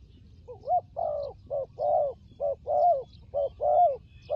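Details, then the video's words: Steady run of soft, low cooing notes from a fighting turtle dove kept for trapping, short and longer hoots alternating roughly once a second, with a quiet background. "Good Fighting Dove"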